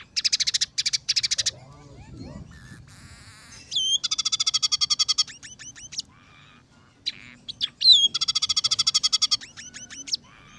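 Scaly-breasted munia singing high, thin phrases: three bursts of fast buzzy pulsed notes, each opened by a sharp rising whistle and trailing into short chips.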